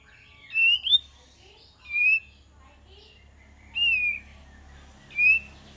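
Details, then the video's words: Lure recording of kapas tembak: four separate whistled phrases spaced roughly 1.5 seconds apart, each a short rising then falling slur, over a faint low hum. "PANCINGAN KAPAS TEMBAK DIJAMIN NYAUT"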